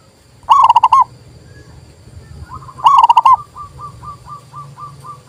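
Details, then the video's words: Zebra dove of the local type, heard as a training call for doves that refuse to sing: two brisk bursts of rapid cooing, then a softer dove answering with a steady string of short, evenly repeated notes. "TERAPI PERKUTUT MOGOK BUNYI PALING TOP"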